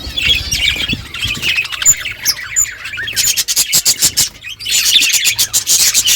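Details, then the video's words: Morning budgerigar flock chirping back and forth: nonstop high, squeaky warbles and clipped chirps, dense and overlapping, with rhythmic bursts of sharper notes in the middle. "Budgies flocks in beautiful morning 🌄 birds talking to each other"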